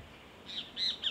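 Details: Vermilion flycatcher in the Pantanal de Nhecolândia, Mato Grosso do Sul, Brazil, giving three quick, thin, high chips in about half a second, each sharp and slightly slurred, over a faint quiet background.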